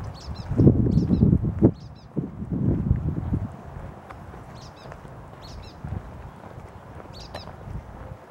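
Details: Brown-headed nuthatch (Sitta pusilla) calling on 21 February 2023, thin, squeaky doubled notes in quick little bursts, over low fluttering thumps and rustling in the first few seconds.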